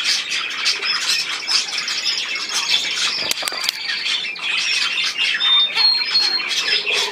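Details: Budgerigars chattering with scratchy chirps, a brief sharp clatter near the middle, then short whistled notes toward the end.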